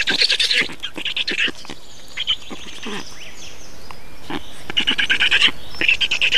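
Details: Estonian black storks at feeding time, 2 June 2019: short bursts of rasping, rattling calls open and close the recording, with a quieter stretch of scattered ticks between them.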